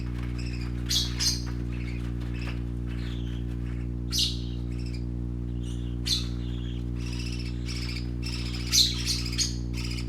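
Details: Parakeet babies at play produce irregular high chirps and occasional louder scratchy squawks spread across the recording, accompanied by a persistent low hum.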